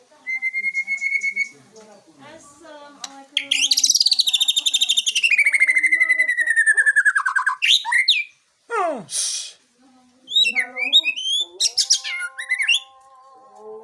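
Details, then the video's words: Aceh white-rumped shama singing while showing off: a sustained pure whistle, then a long loud rapid trill that slides gradually downward, followed by sharp sweeping notes, a pause, and varied quick chirps and whistles. "Murai Aceh # Balak 8 tebar pesona"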